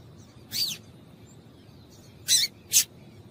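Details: Female yellow-bellied seedeater calling to stimulate males: a thin, descending high slur, a gap, then two fast sharp chips in quick succession over low background noise.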